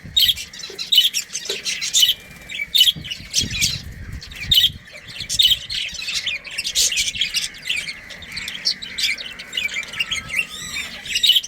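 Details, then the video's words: Budgerigar family in a breeding colony, continuous busy chirping and squawking with frequent short sharp notes throughout, some thin whistled tones, many birds calling together. "Budgies Breeding Pair"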